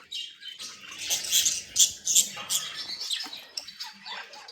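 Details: Budgerigars, said to be happy and playing, utter quick bright chirps and scratchy chatter, a burst of louder notes in the middle fading into softer twittering.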